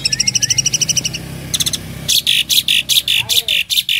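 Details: Song of a tame Asian pied starling in 'full isian' style: a quick run of ringing harmonic notes, a short pause, then loud scratchy bursts repeated about three times a second over a faint low hum.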